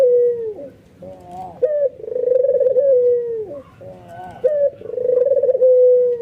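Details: Excited albino white ringneck dove giving bowing coos that draw other doves into calling: a sharp rising note followed by a long purring coo that drops at the end, twice, with softer warbling coos from other doves between.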